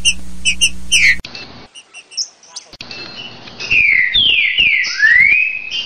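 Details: Green-winged saltator with the "60 boi" song used to school young birds. After a hum and a few chirps, loud clear whistled phrases swoop down and back up near the end.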